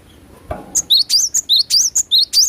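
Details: Cinereous tit (glatik batu) in lively song, recorded as natural sound; a fast series of high, sharp two-part notes, each a thin upslurred whistle paired with a higher click, about ten in quick succession after a soft thump.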